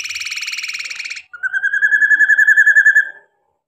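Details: Caged male common iora singing a song filled with imitated phrases of other birds: a steady buzzy trill for about a second, a brief pause, then a lower, rapidly pulsed trill lasting nearly two seconds.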